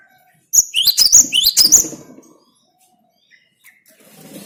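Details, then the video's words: Cinereous tit giving a short burst of high, clear two-part whistles that rise sharply, about six notes in quick succession. Silence follows, with faint low rustling near the end. "Makin Edan gelatik batumu setelah dengan suara ini"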